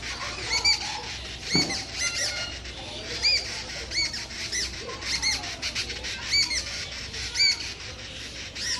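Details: Brown babblers shouting: high, squeaky arched notes repeated roughly once a second, some overlapping, loud and close, with wing flutters and a soft background hiss.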